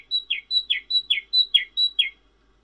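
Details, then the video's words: Singing cinereous tit, locally called glatik wingko: nine crisp two-part notes, each a bright high whistle sliding down into a lower burry tone, delivered at a steady brisk pace. "Suara Glatik Wingko Merdu dan Bening"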